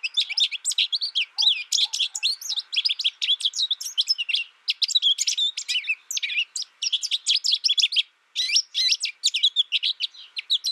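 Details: Long, lively stream of rapid high chirps and twitters from an American goldfinch, varied and tumbling, running almost continuously with only a brief break near the end.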